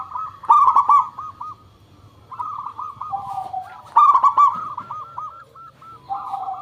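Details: Local zebra dove used as a singing lure; two loud bursts of clipped notes about three seconds apart, each followed by quick bouncing, arched coos that fade and drop to a lower tone.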